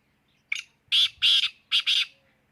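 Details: Black francolin call, a short harsh note followed by two pairs of loud, grating, buzzy bursts in quick succession, then silence; no other sounds.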